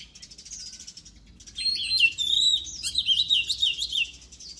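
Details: Oriental magpie-robin in full song, from a 2023 song-training recording: soft high twittering gives way to an energetic stream of sharp, varied whistles, slurs and trills for about three seconds before tapering off.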